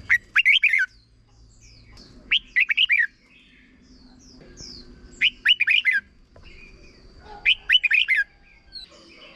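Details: Red-whiskered bulbul singing a short 'boen' style song, played for young birds to copy: bright whistled phrases of four or five quick rising and falling notes, repeated about every two to three seconds, with a steady faint high hum behind.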